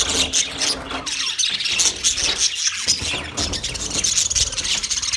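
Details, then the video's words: Budgerigar colony of 30 pairs: loud overlapping chirps and harsh squawks from many birds, over a persistent low rumbling background noise. "30 pairs Budgies colony sounds Big chirping sounds"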